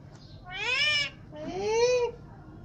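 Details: Angry pet parrot breaking its food tub: two drawn-out harsh, nasal calls, each about half a second long, rising then falling in pitch, with a short pause between them.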